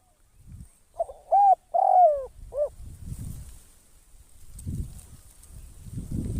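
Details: Decoy spotted dove used to lure birds into a trap: a stuttered lead-in, two level coos, a falling note and a short arched coo, then only steady low rumbling background noise.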